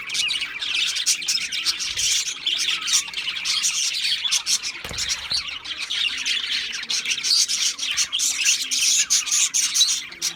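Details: Budgerigar chatter, steady and busy throughout: many overlapping high chirps, twitters and short warbles run without pause, with a brief low thump near the middle and no other clear sounds.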